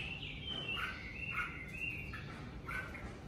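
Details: Red-whiskered bulbul singing during the covid season: a run of clear whistled, slurred notes with quick rising and falling phrases, fairly faint, with a low background hum throughout.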